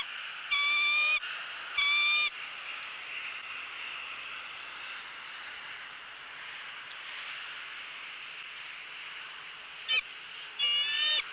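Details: Female bald eagle squawking on a Southwest Florida nest while the male feeds her fish. Two shrill harmonic squeals, a long pause filled with steady hiss, then a short chip and one more squeal near the end.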